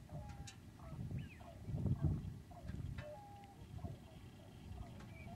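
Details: Common cranes at Lac du Der in February, during spring migration: several birds give short, overlapping trumpeting calls, some rising and bending, scattered across the clip over a heavy low rumble like wind or handling.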